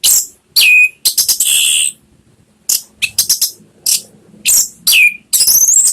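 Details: Lure song of an orange-headed thrush, played to coax a kept bird into singing: loud, bright, rapid high notes with a few dropping whistled slurs, coming in dense bursts with brief gaps.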